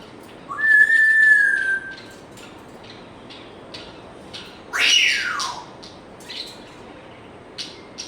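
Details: Pet African grey parrot giving a clear, level whistle held for about a second, then a loud, harsh, descending squawk, followed by a few soft clicks and chirps.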